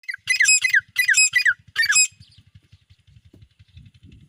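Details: Francolin, called an Iranian tetar, giving three loud, harsh, grating bursts in quick succession over about two seconds, each made of rapid scratchy notes, followed by quiet with a low steady pulsing hum beneath.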